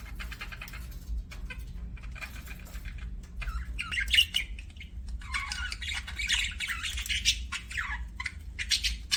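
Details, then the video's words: Budgerigar chirping: soft scattered chirps at first, swelling after a few seconds into a dense, scratchy warbling chatter of overlapping high notes, with a low steady background hum. "BUDGIE CHIRPING SOUNDS"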